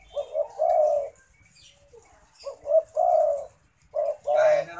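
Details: Zebra dove singing persistently, a series of low, rolling cooing phrases in short bursts, each burst with a brief lead-in note followed by a longer purring coo, repeated three times with short pauses.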